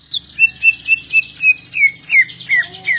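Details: Greater green leafbird (cucak ijo) in vigorous 'gacor' song: a steady run of clear, slurred whistles, each dipping downward, repeated about four times a second, over a faint low hum.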